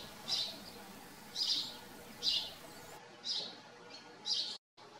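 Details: House sparrows on a farm: a few spaced chirps, about one per second, clear and short, with a brief dropout near the end.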